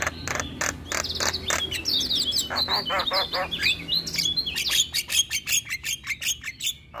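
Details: Javan myna lure song for caged mynas that have stopped singing, are stressed, moulting or mute: harsh, rapid chirps and clicks mixed with high whistled slurs, with dense trains of sharp notes toward the end.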